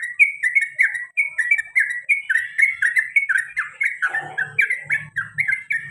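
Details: Sooty-headed bulbul, male, kept as a pet, giving a long repeated 'cuk cuk cuk' series of crisp downslurred chirps about three per second, joined by a low hum near the end.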